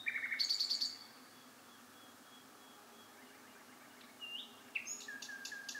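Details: Bird song at night: a quick burst of buzzy, rapidly repeated notes, several seconds of near silence with soft hiss, then a rising whistle and a short run of clipped chirps.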